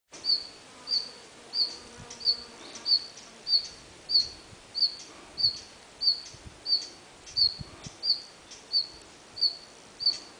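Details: A red-flanked bluetail (Tarsiger cyanurus) in Munakata, Japan, in November 2010 gives a thin, high, clipped call note, repeated steadily about every two-thirds of a second, over faint low background rumble.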